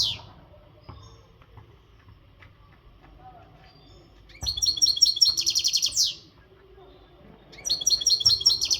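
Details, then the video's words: European goldfinch, western type, caged and untutored, in energetic readiness song: two bursts of fast, high, tinkling twittering notes, separated by a few seconds of near silence with faint clicks. "تغريد الحسون"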